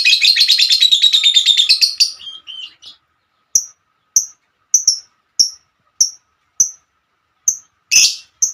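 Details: Female lovebird calling to its companions: a rapid buzzy chattering trill for two seconds, fading off, followed by evenly spaced single high chirps about every half second and one harsh burst near the end.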